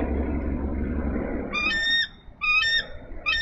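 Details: Female bald eagle at a Minnesota nest on 3 May 2013 calling for her mate to relieve her. Heavy rumbling noise fills the first half, then three high, whistled, ringing notes follow in quick succession.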